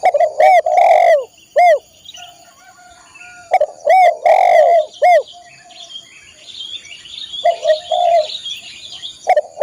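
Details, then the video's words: Tekukur, the spotted dove, singing for caged-bird training: loud deep coos in phrases of a few clipped notes and one long rolling coo, phrases a few seconds apart, with faint chirping of other birds between. "masteran burung tekukur/derkuku"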